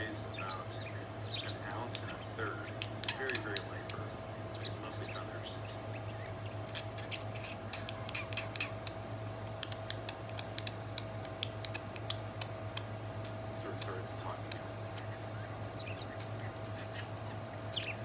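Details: Budgerigars kissing, chattering in quick, scratchy chirps and clicks over a steady low hum.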